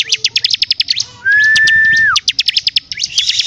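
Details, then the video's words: Bar-winged prinia in full song: rapid, sharp repeated chips run into one long, steady lower whistle that drops away at the end, then more quick chipping notes. "CIBLEK CIBLEK GACOR DORRRR!!!"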